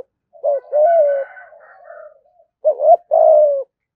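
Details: Spotted dove delivering a fast 'thúc gù' coo meant to provoke rivals to come and fight. A loud coo fades into a soft trailing murmur, then one full phrase follows: a quick double note and a long, mellow falling coo.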